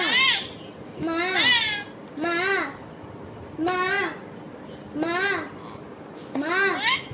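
A rainbow lorikeet mimics human speech with six arched, voice-like syllables like "mom" or "ma," about one per second, in a quiet room.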